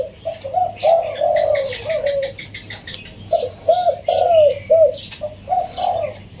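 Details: Wild spotted dove, sixteen days in a cage, cooing in the full single-kuk tossed style, with a soft, sweet voice: low rounded coos strung in two bursts, each a run of smooth hooting notes.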